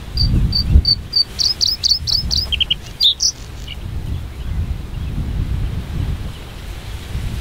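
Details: A breeding White-spotted bluethroat (Luscinia svecica cyanecula) singing on giant hogweed in the Ezumakeeg, Lauwersmeer, Friesland: about eight high, ringing notes repeated quickly, then lower, varied twittering, over low wind rumble.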